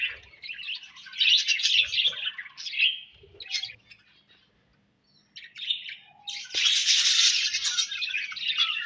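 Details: Several bursts of scratchy budgie warbling are broken by a near-silent pause of about two seconds before a loud, dense chorus of chirps resumes.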